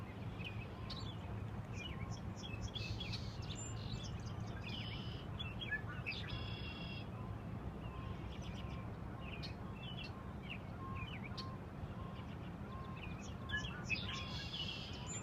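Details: Wild birds calling just off Grand Avenue by the dam in Schofield, Wisconsin: scattered short high chirps, buzzy notes and brief trills from several birds over a steady low rumble, likely from the dam's water.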